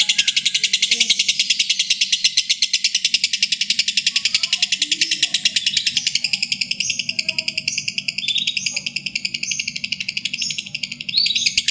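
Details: Lovebird song for contest training: a long, fast stream of shrill, buzzy high chirps running continuously, slightly slowing and varying toward the end, over a faint low background hum.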